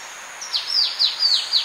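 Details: Orange-breasted honeyeater singing a quick series of thin, high, downslurred notes, with Polynesian triller calls and a steady cricket hum behind.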